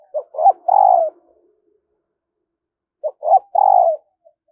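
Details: A spotted dove kept as a lure for wild doves gives two husky cooing phrases about three seconds apart. Each phrase has two brief notes leading into a longer, slightly falling coo, in a quiet setting.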